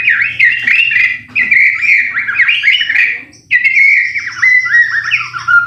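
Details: White-rumped shama song used to stir other shamas into singing: continuous fluid warbling with looping whistled notes, a short break, then a long high sustained whistle over slurred lower phrases.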